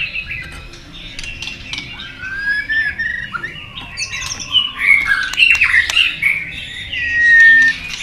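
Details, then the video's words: White-rumped shama singing a duelling forest-style song: rising and falling clear whistles mixed with sharp clicks and chatter, growing louder toward a sustained final whistle. "kích cho chòe lửa nhanh căng lửa. chòe lửa đập đuôi nhấp cầu hót đấu giọng rừng dài"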